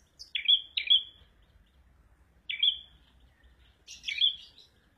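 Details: Prenjak merah (prinia) singing: sharp chirped notes near 3-4k, each a brief burst with a trailing whistle, given singly or in pairs at irregular intervals, plus a buzzier note at the end; faint low hum beneath.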